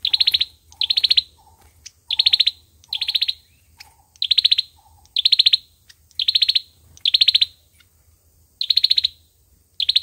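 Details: Olive-backed sunbird singing a fighting song, repeated rapid trills of high sharp notes coming about once a second, with soft lower chirps between bursts and a steady low hum in the background.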